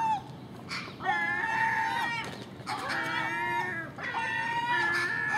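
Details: Common gulls at garbage put out by a house at night, feeding at dawn with magpie and crow: three long, plaintive, harmonic mewing cries, each steady then tailing off, with short lower notes between.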